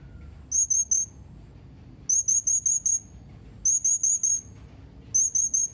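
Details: Blue-crowned hanging parrot uttering rapid clusters of three to five shrill, high, thin whistles, four clusters spaced about one and a half seconds apart, over a faint low background hum.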